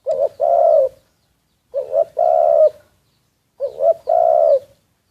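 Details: Secretly recorded spotted dove decoy bird giving three even coo phrases about two seconds apart. Each phrase is a brief double note leading into a sustained, slightly wavering low coo, with silence between.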